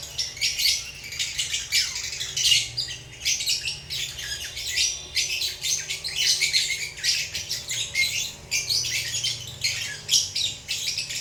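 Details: Pet lovebirds, relaxed, give a dense, continuous stream of shrill, squeaky chirps that overlap into a busy chatter for the full stretch, with brief swells of louder calls throughout.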